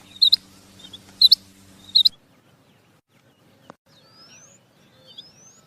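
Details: Female quail calling: three short, sharp high chirps in quick succession over the first two seconds, then near silence with a faint click and a few thin rising whistles.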